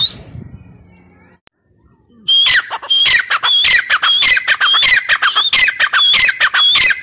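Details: Grey partridge (teetar) call: after a quiet, rustling start, a loud run of harsh squawks and sharp whistled notes begins and repeats steadily, roughly every half second.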